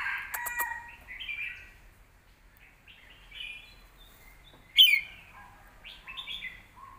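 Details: Red-whiskered bulbul song in the southern Thai competition style, for training young birds: soft varied whistled phrases with one loud sharp slurred note near five seconds, followed by short lower notes.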